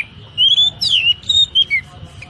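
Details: Short sequence of clear whistled notes from an Oriental magpie-robin training song for caged birds, 'tembakan rapat' style: level and falling whistles in quick succession above a low rumbling background.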